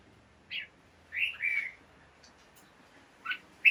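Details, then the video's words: Caged red-whiskered bulbul in the morning giving a few scattered whistled notes, short slurred phrases with long quiet gaps between them. "กระตุ้นนก ให้คึกคัก ยามเช้า เสียงร้องเสียงริกนกกรงหัวจุก"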